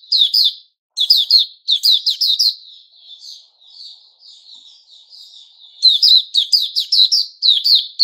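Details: Recorded 29 August 2021, a white-rumped shama called puteh raja opens with quick bursts of loud, falling chirps, drops into several seconds of soft, subdued twittering, then returns to strong rapid chirping.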